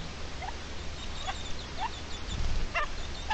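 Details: Red-legged partridge defending its chicks, recorded 29 May 2023: short harsh notes with bright overtones, spaced about half a second apart, over thin high peeps and a steady low rumble.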